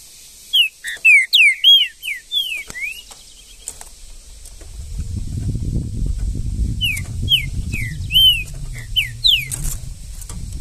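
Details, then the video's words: Green-winged saltator in the woods gives two bursts of rapid, slurred, downward whistles, about ten notes each. A low rumbling noise rises between them and continues beneath the second burst. "trinca ferro no mato"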